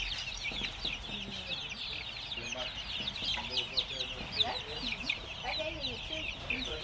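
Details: Many young chickens kept in cages, playing: rapid, overlapping high-pitched cheeps in a constant flock chorus, some softer lower chirps and murmurs mixed in, faint background hum.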